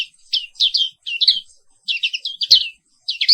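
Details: Indonesian black-capped white-eye in morning 'ngerol' song: dense runs of high chirping notes that sweep down and warble, delivered in quick strings with short breaks and one faint click.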